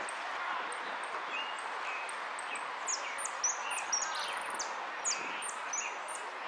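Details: A hooded siskin at a Monte Grande song contest on 30 Oct 2016, placed fourth, sings a fast, high twittering song of thin whistles and short buzzy downslurs without pause over a steady background hiss.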